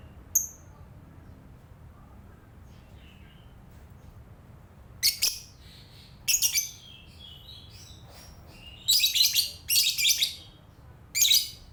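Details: Morning chatter from a lovebird: one brief high chirp, then a run of harsh, shrill squawks in clustered bursts, some doubled in quick succession, over a faint low hum.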